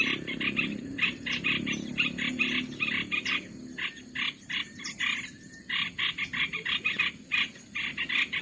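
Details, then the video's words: Olive-winged bulbul lure sound used to attract birds for trapping: rapid, harsh chattering bursts repeated several times per second in quick runs, with brief pauses and a faint low rumble beneath. "SUARA MIKAT BURUNG MERBAH BELUKAR"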